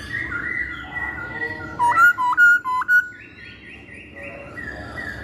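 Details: Masked laughingthrush song used as a lure: soft wavering whistles, then four loud, clear upslurred notes in quick succession, followed by quieter repeated whistles at a higher pitch.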